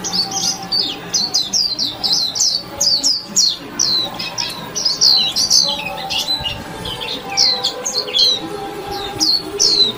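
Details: Continuous high-pitched twittering of a warbling white-eye, dense runs of quick downslurred chirps with almost no gaps, a faint low hum underneath.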